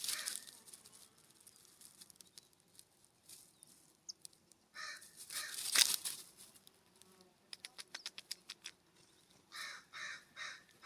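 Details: California scrub-jay at a ground feeder uphill from a cabin on a warm September morning, giving harsh, raspy calls in a quick series near the end, with scattered clicks and pecking noises throughout.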